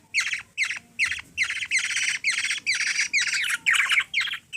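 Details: Young black-naped oriole from the Philippines, known locally as kilyawan, begging hungrily as a small girl feeds it; rasping broadband squawks come in quick, nearly continuous bursts.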